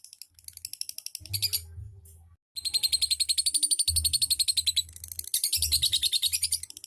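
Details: Lovebird kicau in ngetik ngekek style, fast shrill clicking chatter in bursts separated by a short silence, high buzzy notes pulsing around three times a second, faint low thuds below.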